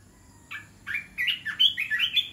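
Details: Red-whiskered bulbul in a cage, Dok Taeng and Ta Daeng styles combined: a clear, rapid run of bubbly whistled notes rising and falling, about eight quick syllables in two seconds, close and loud.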